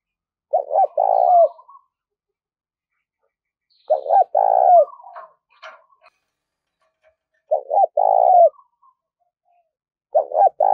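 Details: Captive spotted dove kept as a trapping decoy, described as a four-note singer, calling to lure wild doves. Four loud cooing phrases about three seconds apart, each made of quick short notes running into a long, rolling, falling coo, with silence between.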